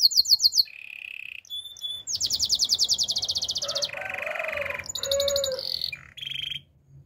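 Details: Belgian canary song for training, varied and loud: quick chirps, a fast buzzing trill, a grating roll with a softer low undertone, then brisk whistled bursts and short notes.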